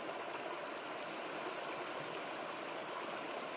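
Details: Steady rush of a fast-flowing mountain stream in the Altai, broadband water noise throughout with no calls standing out.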